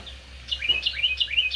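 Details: A parent Carolina Wren nesting in a patio planter and feeding babies sings loud, rolling phrases, about three per second, each a ringing slurred note group, after a brief quiet start. It sings there all day.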